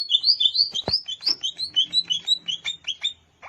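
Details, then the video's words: Wild greater green leafbird singing at Alas Purwo, Banyuwangi: a fast, rich run of whistled, slurred notes, some rising and some falling, delivered about three per second with a brief pause near the end. "Suara Asli CUCAK IJO Alas Purwo BANYUWANGI"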